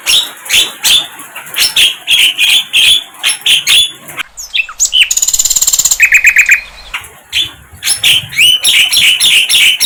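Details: Wild flycatcher delivering a choppy string of short, loud, high chirps about three per second, broken midway by a fast even rattling trill and a brief pause, then the chirping resumes.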